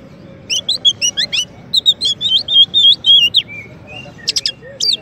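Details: White-rumped shama, a champion bird used as a master song for training another bird, sings quick paired whistled notes that run into a steady series of warbled phrases, ending with sharp high calls.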